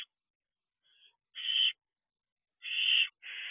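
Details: Barn owl owlets enjoying the outside of the owl box at 3 am; a faint short rasp, then a loud harsh hiss, a pause, and two more screechy hisses in close succession.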